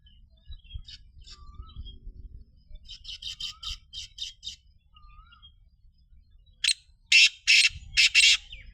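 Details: Black francolin with a distant series of five or six short grating notes, then a loud close phrase of four harsh, buzzy bursts. Faint whistles of other birds and light low background noise run through.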